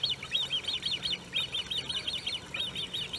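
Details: Great crested grebe family with young, De Gouden Ham, Maasbommel, 1 August 2018: shrill peeping in three quick bursts of four to five rising-falling notes each, separated by brief pauses, against a steady low hum.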